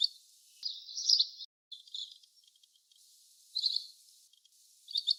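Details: Little green bee-eater giving thin, high trilled calls in short bursts: a longer buzzy trill near the start, then two brief trills later, over a steady background hiss.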